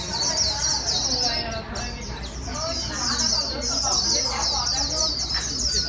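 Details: Newly caught white-eye being stimulated to sing its fast líu song: a continuous, rapid, high twittering warble of dense repeated notes, with softer mixed chirps and murmurs beneath.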